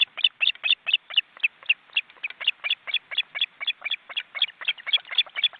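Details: Nearly grown osprey chicks in a crowded nest in a wild Estonian forest reserve, filmed by a live nest webcam, give a fast run of sharp, bright calls, about four per second, steady throughout.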